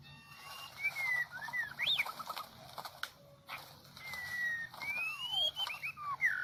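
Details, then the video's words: Medan-type white-rumped shama lure song for trapping: long gliding whistles rising and falling, mixed with clicking notes against a hissing background. "Pikat jebak jontrot murai medan lepasan"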